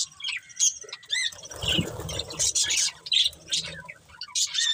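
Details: Budgerigars of a breeding pair kept as pets, giving scattered short squawks and sharp chirps with gaps between, plus a brief low rustle in the middle.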